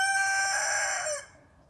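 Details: Rooster crowing: the loud, rich, harmonic end of a crow, held steady and then cutting off after about a second, followed by quiet background noise.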